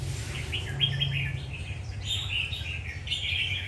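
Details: Red-whiskered bulbul, called a warrior, sings quick bright warbling chirps in a rapid string, heard over a steady low electrical-sounding hum.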